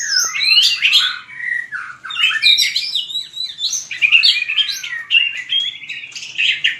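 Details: Fighting song of a white-rumped shama sung for voice training: continuous rich warbling with swooping whistles and chattered notes in rapid, varied phrases.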